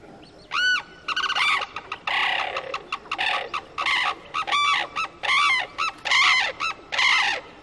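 Sarus cranes give loud, brassy trumpeting calls in quick overlapping bursts, several each second, with a faint background hiss.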